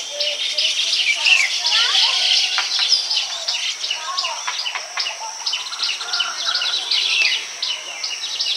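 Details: Baya weaver males building nests and attracting females; dense, high-pitched chattering and chirping from several birds at once, with quick scratchy notes overlapping continuously and no pauses.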